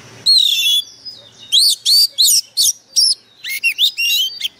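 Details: Lure-bird Oriental magpie-robin in fierce, intense song, giving a fast string of about ten short whistled phrases, some slurred downward and some rising, separated by brief gaps, in a quiet setting.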